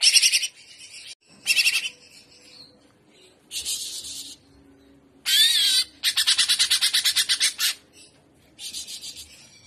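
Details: Greater green leafbird singing in the 'trotolan' style, described as 'gaya udang': loud, buzzy, high chattering bursts lasting about half a second to two seconds, separated by short pauses. One burst is a fast, evenly pulsed rattle, and faint background noise sits underneath.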